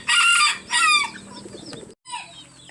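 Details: Rooster crowing loudly and melodiously in an overlapping exchange with other roosters. Two rich, harsh bursts are followed by fading, quieter call notes, then a brief dropout.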